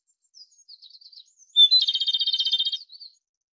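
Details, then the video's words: Faint twittering precedes a Japanese robin's strong song phrase: a high lead note followed by a quick, steady trill of around a second, then more faint twitters trailing off. "日本歌鴝/Japanese Robin"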